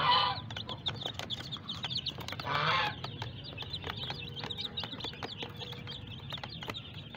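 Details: Small colourful hen chicks peeping: many short, high, downward-slurred peeps repeated continuously over a noisy, humming background, with a couple of louder broadband bursts.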